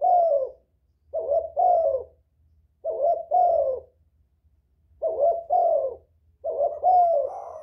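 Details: Spotted dove calling to lure other doves. Repeated two-part coo phrases, each husky note slightly falling, return every couple of seconds with quiet gaps between.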